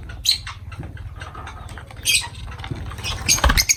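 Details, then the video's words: Lovebirds at feeding time, with short high chirps near the start, middle and end over steady pattering and rustling noise. "Love birds voice sound"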